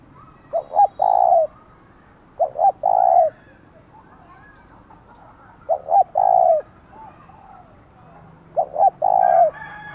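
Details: Decoy spotted dove giving a loud challenging call style used to provoke wild doves: four coo phrases, each two short clipped notes then one long mellow falling coo, repeated about every 2.5 seconds, quiet background.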